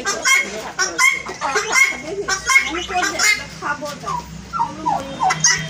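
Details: Turkey (Meleagris gallopavo), call.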